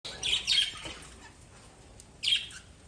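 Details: Lovebirds chirping: two bright bursts of sharp, high, chattering chirps, one near the start and another about two seconds later, with a quiet gap between them.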